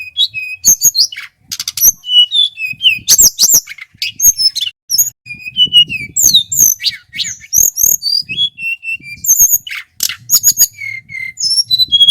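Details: Long, loud song bout from a local male Sunda whistling thrush from Merapi. Clear whistles at varying pitches, often dropping in steps, are interwoven with dense bursts of sharp scratchy chirps throughout.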